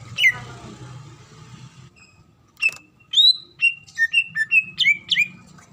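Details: Calling female greater green leafbird, said to be in breeding condition and summoning the male. One sharp note, a pause, then a lively run of clear whistles, rising and falling, each brief and loud, about eight in two seconds.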